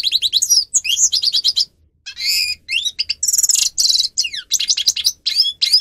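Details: Grey-crowned goldfinch (Carduelis caniceps) singing as a tutor recording for training birds to sing: fast twittering trills, rising slurred whistles and buzzy notes, with a brief pause near two seconds, then dense chattering phrases.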